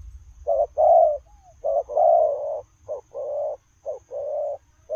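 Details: While running, a spotted dove delivers low rolling coos in short-long pairs, some coos stretched longer, with a faint brief slurred whistle after the first pair.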